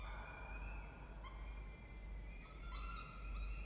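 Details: Peregrine falcons at a nest box in a water tower at Charles Sturt University, Orange, New South Wales, Australia, on 16 October 2024 at 07:21. Drawn-out harmonic wailing notes, some rising at the end, over a steady low hum.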